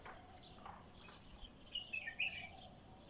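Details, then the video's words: A bulbul, described as an untrained bird with a heavy-toned throat, gives a short run of bright, chirpy notes in a quick burst midway, over a steady background hiss. "بلبل خام حنجره ثكيله"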